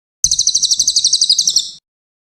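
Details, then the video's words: High-pitched brown cililin trill from a master recording for training songbirds, full song: around fourteen quick, evenly spaced notes over one and a half seconds, fading slightly at the end, clean background. "mastetan burung cililin coklat, cililin gacor"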